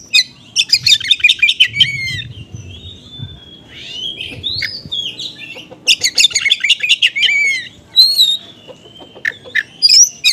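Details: Oriental magpie-robin song used to provoke a response from other magpie-robins, in the fast scratchy konslet style with mimicked small-bird material: dense bursts of harsh chattering notes mixed with slurred whistles, with pauses between bursts and a low background rumble.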